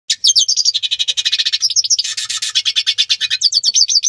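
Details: Hooded siskin (Spinus magellanicus) courtship song: a fast, unbroken twittering of high buzzy trills and chirps, with rapid notes tumbling on for several seconds.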